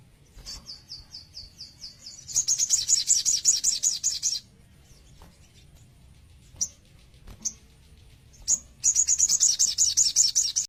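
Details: White-rumped shama, young, sings repeated high downslurred notes that run into a rapid high trill, pauses with isolated sharp chips, then resumes the fast trill.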